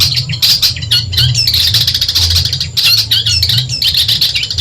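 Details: Genuine Madura long-tailed shrike singing to tutor songbirds: squawky, grating chatter and quick rasping trills in a continuous stream, with a few thin upslurred whistles, over a low background hum.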